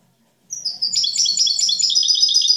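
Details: European goldfinch praised as an exemplary master singer delivering clean song (cante limpio) without faults or discordant notes; after half a second of quiet, a rapid, high, tinkling twitter of liquid trills and buzzy notes pours out continuously.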